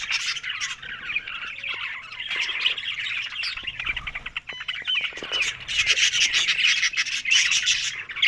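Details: Several budgerigars talking, recorded on October 1: dense, continuous warbling chatter of overlapping chirps and rapid ticking notes, rising and falling in loudness throughout.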